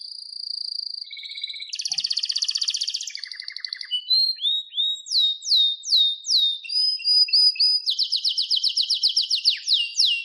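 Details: Canary song, loud and continuous: a steady whistle, then buzzy rapid trills at several pitches, a series of repeated downward-sweeping notes about three per second, and a long fast trill closing the phrase.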